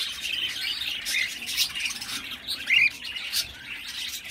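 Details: Baby cockatiel chirping and squawking in high, harsh bursts, with one louder rising squeaky note near the middle, calls coming irregularly about twice a second.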